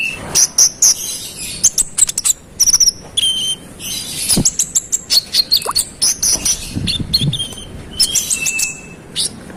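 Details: Konin, the brown-throated sunbird, pouring out a dense, rival-provoking song: rapid high chirps, ticks and short whistles nearly nonstop, a few level whistled notes, with brief low knocks in the background.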